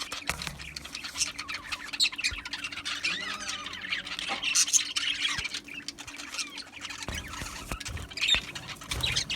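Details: Aviary of Australian budgies: softer, steady background twittering from many birds, with warbled high chirps and occasional sharp clicks.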